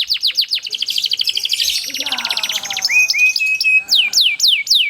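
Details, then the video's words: Atlantic canary in captivity singing a long rolling song used as a lure for other canaries: quick falling whistles, a dense rattling trill, level whistled notes, then loud sharp down-slurred notes. "GACOR ngerol panjang banyak burung kenari cepet ikut gacor dengan suara kenari gacor ngerol panjang"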